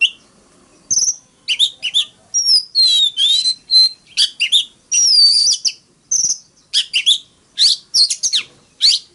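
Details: Energetic fighting song from an Oriental magpie-robin in forest voice, sung to stimulate rivals: high whistles, a long warbled middle section of gliding notes, then clipped scratchy phrases and thin whistles.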